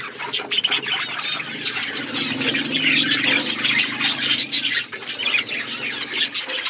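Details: Several budgies feed in an outdoor aviary, keeping up a continuous rapid twittering and scratchy warble over a steady low hum.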